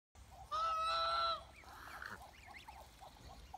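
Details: Chinese goose, a domestic breed, giving one loud, nasal, trumpeting honk held for nearly a second, over a steady background of many soft, short chirping calls.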